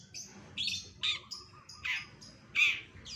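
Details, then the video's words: Cendet, or long-tailed shrike, copying other birds for songbird contest practice: harsh, scratchy high squawks alternating with thin whistles, about three bursts across a few seconds. "CENDET FULL MASTERAN SUARA KOMPILASI BURUNG LAIN"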